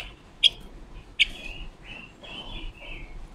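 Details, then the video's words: Forest-caught female red-billed leiothrix used as a decoy, practising a long varied song meant to stimulate and trap other birds: sharp bright chips break up flowing, gently falling whistled phrases, and a final sharp note closes the clip. "Ngũ sắc mồi già rừng hót hay, ngũ sắc mồi luyện giọng hót của chim già rừng ngũ sắc mái mồi"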